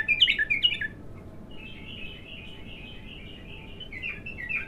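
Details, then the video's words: Raw bulbul in its first singing session: a short burst of loud, rapid slurred chirps, followed by a long, soft, continuous twittering warble that rises slightly at the end, against steady low hum. "تغريد الابتر خام اول فتحـه له"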